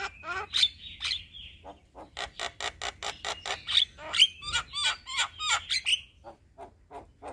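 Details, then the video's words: Male Javan myna delivering a long rolling song: a stream of rapid scratchy clicks and grating notes woven with twisting whistled squeals, the clicking continuing steadily to the end. "Jalak Kebo Jantan gacor Ngeroll Panjang"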